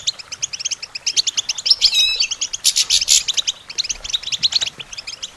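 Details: European goldfinch song for songbird training: regular high chirps in quick succession, with a harsh wheezy buzz in the middle and a short slurred trill before it.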